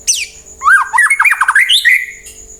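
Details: White-rumped shama song to draw replies from other birds: a sharp falling high note, then a rapid rolling series of rich, rising warbled notes that climbs higher before stopping.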